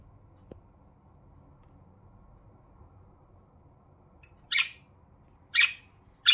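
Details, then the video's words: Pet budgerigars indoors in the morning, a happy morning sound: after a long quiet stretch, three short, harsh, bright chirps come about a second apart. "happy sound for Budgies"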